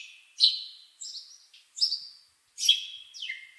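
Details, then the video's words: A few drawn-out bird chirps, high and slightly buzzy, some holding level and one sliding down at the end, separated by short silences. "Bird Chirping Sound"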